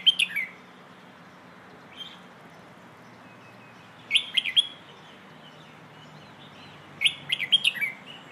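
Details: Red-whiskered bulbul training song in the 'phleng ho' style, meant for tutoring young birds: clusters of rapid, sweet whistled notes with sharp clicks, a lone soft note between phrases, over a steady faint hum.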